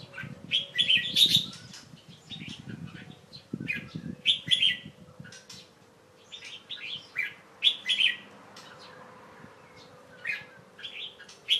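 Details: Young Red-whiskered Bulbul kept as a pet, recorded late afternoon on 1 January 2012 while covered to rest after bathing; lively run of chirped and whistled notes in irregular bursts over a low rumbling hum.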